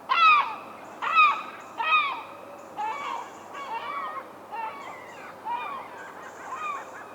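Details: A Herring Gull recorded in the wild gives a loud laughing call: harsh, nasal yelps about once a second, the first few strongest, then trailing into softer repeated notes.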